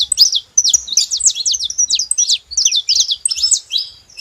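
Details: A rapid, continuous string of bright chirps and zigzag notes from saffron finch, high and scratchy, running almost without pause over a quiet background.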